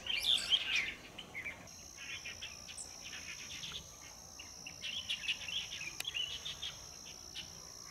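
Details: Large flock of light-vented bulbuls at a nearby waterway, drinking and bathing, 7 March 2024; a burst of chattering, squeaky calls, then scattered chirps. A steady high insect-like whine runs underneath.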